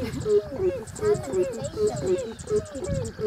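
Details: Crowned crane calling: a rhythmic series of mid-pitched, honking notes that rise then fall, about three per second, with faint high clicking ticks above.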